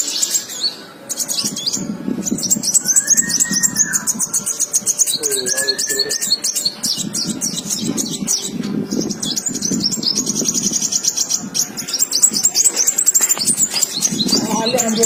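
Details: Indonesian kolibri wulung, the ruby-cheeked sunbird, on a masteran track: long run of sharp, high twittering and rapid trilled chirps, broken by brief pauses, with a couple of lower whistled slurs and a low murmur underneath.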